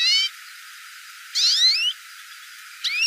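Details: Hooded siskin calling: three short, bright bursts of stacked, rising and curving whistled notes separated by brief pauses, with a faint hiss between calls and no other sounds.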